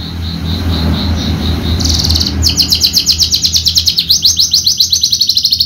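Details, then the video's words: Horsfield's bushlark of the javanica form, raised for bird contests, shifts from soft repeated notes into a long fast series of sharp, rhythmic high chirps over low rumble. "KICAU MERDU BRANJANGAN JAVA"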